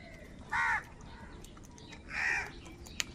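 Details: Two separate harsh caws about a second and a half apart from wild crows squabbling over food, over a quiet background.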